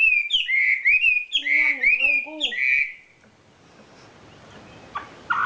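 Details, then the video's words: Champion wambi bird singing kicau isian (filler song): loud whistled slurred notes, some rising and some falling, in quick runs for about three seconds, then near-silence with a couple of faint chirps. "SUARA KICAU ISIAN BURUNG WAMBI JUARA"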